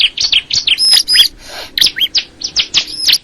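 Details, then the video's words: High, bright chirping from a crystal ciblek bar-winged prinia: rapid sharp notes with thin sliding whistles, a brief soft hiss in the middle, then more quick twittered chirps. "the sound of the crystal ciblek bird"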